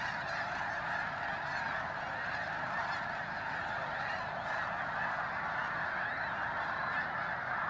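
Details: Thousands of arriving snow geese join a resting flock before dawn at Bosque del Apache, New Mexico, in freezing weather. Their calls merge into one relentless honking clamour, recorded on a handheld phone.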